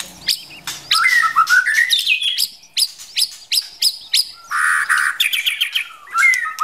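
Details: White-rumped shama from the forest, female stimulating the male to rehearse singing: rising whistled slurs broken by repeated sharp clicks and rasping bursts, with a sustained buzzy note midway and a bright whistle near the end.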